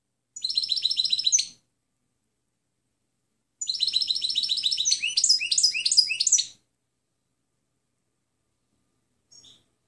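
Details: European goldfinch song on a clean recording for training birds: a short trilled phrase, then a longer phrase of rapid buzzy trills turning into bright, sliding twitters, silence, and a faint final note.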